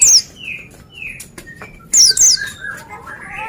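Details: Vigorously singing Oriental white-eye giving sharp, very high descending notes in a quick pair, while lower drawn-out whistles and soft warbling from other birds fill the gaps.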